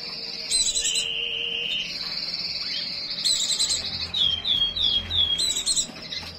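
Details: White-eye in breeding condition singing high, rapid trilled phrases that jump between two pitch levels, with sharp higher chatter bursts and a run of quick down-slurred notes near the end; faint low hum underneath.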